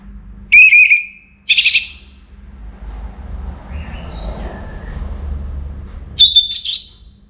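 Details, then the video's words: Pre-dawn song of an Orange-headed thrush, northern Bali: short loud whistled notes and a buzzy burst at the start, a faint distant whistle midway, then another sharp ringing phrase near the end over low hum. "ANIS MERAH Gacor Bunyi Menjelang Pagi"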